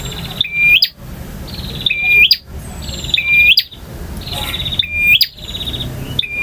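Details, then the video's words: Male bar-winged prinia in ngotot, ngalun and kristal song, full variation. Bright whistled notes, each closed by a sharp snap, alternate with dry buzzy rattles, repeating every second or so in a steady chain. "KICAU PRENJAK JANTAN FULL VARIASI DURASI PANJANG || NGOTOT,NGALUN,VARIASI,KRISTAL"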